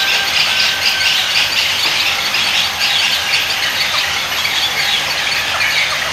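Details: A breeding colony of intermediate and cattle egrets with their chicks, in trees among rice fields near Ubud, Bali, erupts when a parent arrives with food into a dense, harsh, unbroken chorus of overlapping screeches and squawks.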